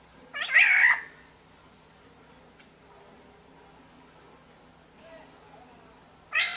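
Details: Sumbawa black-naped oriole (kepodang) lure sound: one rough, nasal call with a brief whistled inflection at the start, then a long quiet stretch with faint soft notes, and another harsh call starting at the end.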